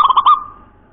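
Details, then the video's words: Local natural zebra dove (perkutut), singing in the bening, cowong, gowong, nropel manner: the tail of a bubbling coo phrase with three quick clear notes, then fading quiet. "Perkutut lokal SUARA NROPEL COWONG GOWONG BENING"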